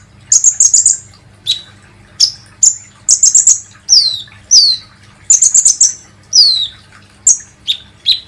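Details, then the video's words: High, thin sunbird notes from a kolibri ninja, played as a lure to set captive birds singing: rapid stuttering clusters of bright chirps alternating with downward-sliding whistles, bursts spaced roughly every half to one second, no other sounds. "SUARA BURUNG KOLIBRI NINJA"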